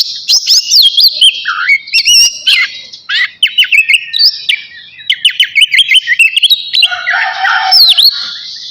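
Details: Oriental magpie-robin of the navy type, singing actively just before bathing: a rich, varied run of whistled slurs, rising and falling sweeps and rapid chattering notes, with a short lower buzzy phrase near the end.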